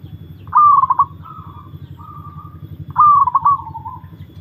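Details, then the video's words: Zebra dove (perkutut) singing in a mental test: two cooing phrases about 2.5 seconds apart, each a bright, stuttering trill of notes that falls into softer drawn-out coos, over a steady low hum. "burung perkutut"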